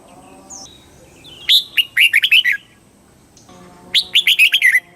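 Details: Thai red-whiskered bulbul in southern master style song, played to stir birds up and tutor young ones: two rich, rapid warbled phrases of six or seven slurred notes, separated by a short pause, over a low steady hum.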